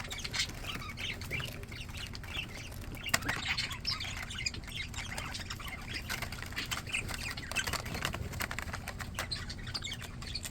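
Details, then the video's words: Happy, healthy pet budgies chattering together: a steady wash of soft, overlapping warbles and chirps, with low background hum throughout. "Happy Healthy budgies"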